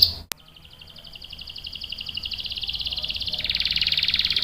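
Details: Canary singing a long rolling song, used for luring and tutoring young birds: after a sharp click, a fast, high, buzzy trill builds steadily louder, then shifts to a fuller, lower roll near the end.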